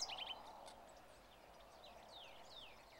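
A Black-capped Vireo gives quick, scratchy chattering phrases with high chips and slurred whistles, fairly faint over steady background hiss.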